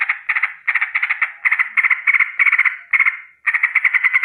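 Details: Sooty-headed bulbul giving a morning danger alarm with a rolling chatter: dense bursts of rapid harsh notes, each burst under half a second, following one another almost without pause; quiet background.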